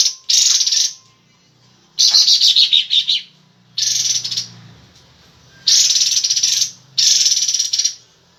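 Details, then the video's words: Cream-vented Bulbul in breeding condition with its tail spread, repeating loud, harsh, rapid chattering bursts of about a second each, separated by short gaps. "kapas tembak gacor buka ekor birahi"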